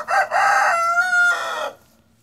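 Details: Chickens out in the spring garden on a pleasant day; a loud crow of rasping stacked syllables flows into a long, level, clearer drawn note that ends abruptly, followed by quiet.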